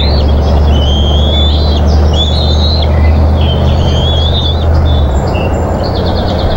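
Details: Bald eagles at a Minnesota nest camera on 20 June 2014, squabbling over a fish as one grabs and mantles it. High, thin whistled chittering phrases, some slurred downward, repeat over steady low rumbling background noise.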